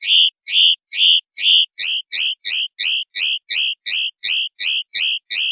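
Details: Common linnet song in the clean 'pardillo limpio' style, recorded for a 2025/2026 silvestrismo training CD: a fast series of bright, clipped two-tone notes, about three per second, shifting to a higher, sharper note type midway.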